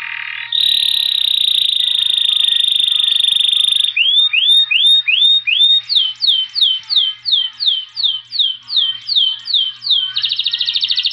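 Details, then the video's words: Saffron finch song opening with a long, steady, high whistled tone, then a rhythmic run of rising-then-falling swooping notes about twice a second, ending in a rapid buzzy trill. "CANÁRIO-DA-TERRA!! CANTO INIGUALÁVEL!!!"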